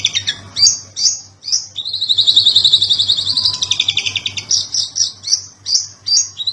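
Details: Kacer or Oriental magpie-robin, 'ngobra patah' song used to train other birds, Indonesia: harsh chattering bursts, then a long buzzy rattling trill that falls slightly, followed by repeated scratchy notes about once a second.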